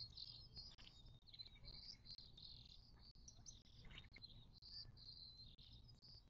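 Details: Birds at a desert watering hole in the western Mojave Desert of southern California, near Joshua Tree National Park, on 19 March 2024: a dense chorus of high, overlapping chirps and twitters runs throughout over a low steady background rumble.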